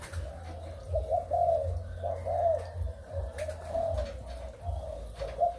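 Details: Malaysian and Thai breeding spotted doves, dated 23 August 2021, cooing repeatedly in soft rounded notes grouped into short rhythmic phrases, with a continuous deep background drone.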